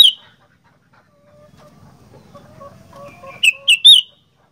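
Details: Sooty-headed bulbul, the kutilang 'gacor fighter': one sharp opening note, a stretch of soft twittering, then three loud, bright chirps in rapid succession with falling tails.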